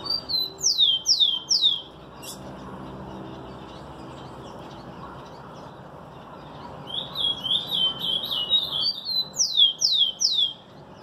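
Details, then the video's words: Song of a Rufous-collared sparrow. Three bright falling whistles come first, a pause follows, then a rapid series of short buzzy chips and more sharply descending slurred whistles over steady background hum. "TICO TICO BAD BOY um SHOW de CANTO!"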